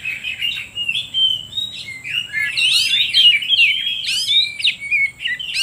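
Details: Oriental magpie-robin song played to stir up other birds and lure wild magpie-robins. Fluent, continuous warbling of whistles and slurred notes grows louder midway, with sharp rising sweeps and a faint steady high tone behind.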